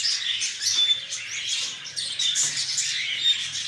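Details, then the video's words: High, scratchy chirping from many lovebirds at once, with clear piercing whistle notes and bursts of louder squeaks roughly every half second. "طيور الحب"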